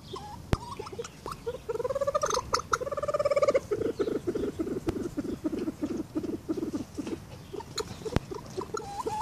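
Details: Aviary-kept Reeves's pheasants on a trail camera: a fast stuttering series of ringing pulses that smooths into a drawn-out rolling note, then breaks into choppy low pulses, with scattered sharp clicks and a few short rising calls.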